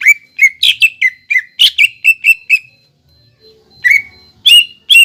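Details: Greater green leafbird (cucak ijo bahan), used as a lure to stimulate other leafbirds to sing: a series of short, bright whistled notes with sharp clicky onsets, rapidly repeated, a pause, then more notes. A faint steady high tone runs underneath.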